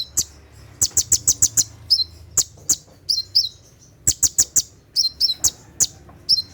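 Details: A brown-throated sunbird performs 'tembakan' song at night, used for training caged birds. Clusters of rapid, needle-thin high ticks alternate with pairs of slurred downward whistles.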